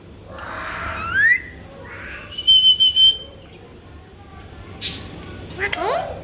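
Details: Alexandrine parakeet talking: a loud rising whistled phrase, then a steady high whistle broken into several quick pulses, followed by short harsh squawky notes near the end over a low background hum.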